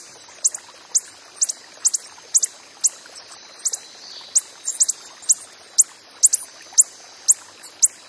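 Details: High, dry chip notes from a wild coppery-headed emerald, repeated about twice per second with slightly irregular spacing, over a thin steady background whine.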